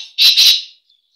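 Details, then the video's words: Black francolin breeding call: two loud, harsh, grating notes close together, each about a quarter second long, followed by quiet. "کالا تیتر کی مستی والی مکس آوازیں"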